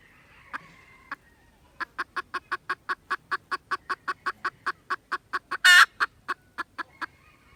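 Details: Recorded 16 December 2021, a red junglefowl starts with two separate notes, then settles into a fast even string of clucks interrupted by one loud rasping burst.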